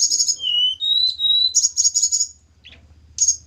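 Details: Captive Javan hill blue flycatcher, kept for pairing with a mate, sings sweet high whistles: fast buzzy trilled notes, then long level whistled tones stepping up in pitch, then a burst of rapid chirps and a short trill after a pause.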